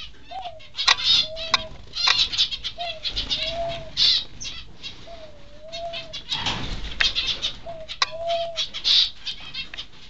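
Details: Male masked (Namaqua) dove in an indoor aviary gives soft, low, slightly arched coos about once a second, half-buried under loud wing flapping and other aviary bird chatter.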